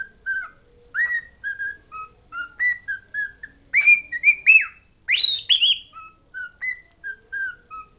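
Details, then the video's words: Singing pet bird reciting learned words: clipped whistled notes in quick succession, building to a cluster of louder, higher, buzzier rising phrases midway, then settling back into softer level whistles. "My bird Pedro singing"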